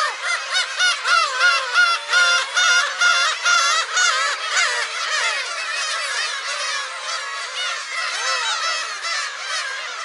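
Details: Black-tailed gulls heard at a shrine on Friday, July 10, calling loudly in rapid bursts: harsh mewing yelps repeated more than twice a second at first, then a steadier overlapping crowd of cries.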